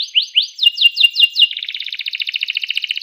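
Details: Canary singing to provoke other canaries into song: seven or eight sharp upslurred whistles in quick succession, then a long, fast, rattling trill of tiny notes that continues to the end.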